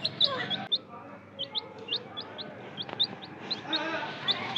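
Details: Young chicks raised by hand peep in short, high notes spaced irregularly, about two per second, against a busy hiss of handling and faint talk.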